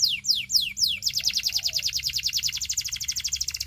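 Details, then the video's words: Belgian canary song aimed at attracting other canaries: four slow descending whistled sweeps, then a rapid, steady trill of repeated notes about three per second faster, continuing to the end. "A Special Canary to Seduce All The Canaries - The Belgian Singing Canary"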